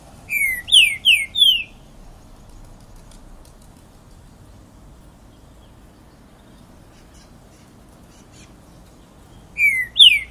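A Green-winged Saltator sings a loud phrase of three or four quick, clear slurred whistles, then repeats it after about eight quiet seconds over a faint steady hiss.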